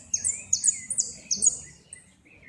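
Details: Second-place competition goldfinch, 2016 northern zone, in repique style: four fast, sharp very high notes, each with a lower curling twitter beneath it.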